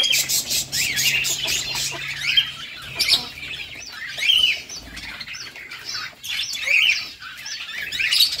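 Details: Rosy-faced lovebird (Agapornis roseicollis), calls.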